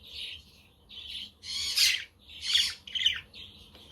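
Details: Budgerigars chirping outdoors on a windy, sunny day, with a pet Quaker parrot and a conure in the background. Bursts of buzzy, high warbled chatter alternate with harsher squawking notes in uneven phrases.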